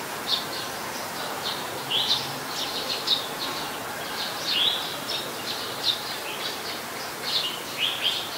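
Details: Eurasian tree sparrow, a very common resident in Ubon Ratchathani, Thailand, 10 May 2020: busy, irregular high chirping and twittering notes, several per second in bursts, over steady background hiss.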